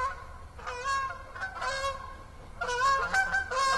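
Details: At Assabet River National Wildlife Refuge on an autumn evening in October 2014, geese give loud, harsh overlapping honks in two bursts, with a short quieter gap between.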